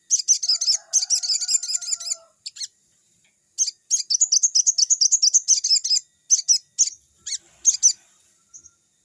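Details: Crimson sunbird (sogon) singing energetically in a forest-like setting, used as a lure to train young birds: rapid high-pitched chattering trills and chirps in bursts, with short pauses between phrases and a faint lower whistle early on.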